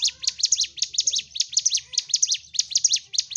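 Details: Sunda warbler singing in fighting mode to provoke other birds: quick, paired, high-pitched chirps in a steady, energetic stream.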